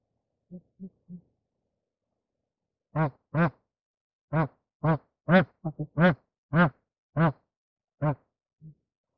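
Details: Bar-headed goose during mating: three soft short honks, a pause, then a loud irregular series of about eleven brief nasal, harmonic honks roughly half a second apart, ending with one faint honk; otherwise quiet background.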